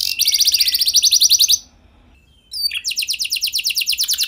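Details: Singing canary used as a lure for other canaries: a very fast, even trill of high notes, a short silence with a faint chirp, then another rapid trill of repeated buzzy notes.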